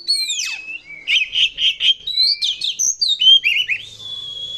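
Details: Caged-style Oriental magpie-robin song used as a lure to set other birds singing: sweeping whistled glides and downslurs mixed with rhythmic buzzy chattering phrases, ending on a long steady whistle.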